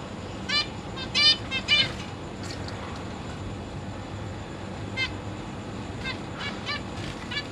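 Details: Captive zebra finches in a large cage, parents feeding three juveniles and three newly fledged young; a few short, nasal, harmonic-rich calls come in clusters early on, then sparse single calls over steady background hiss.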